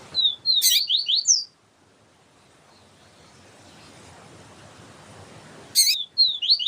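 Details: Double-collared seedeater, Sporophila nigricollis, captive setting, a female calling to warm up the male: rapid high chirped phrase of slurred notes, a pause with faint hiss, sharp clicks, then the chirping resumes.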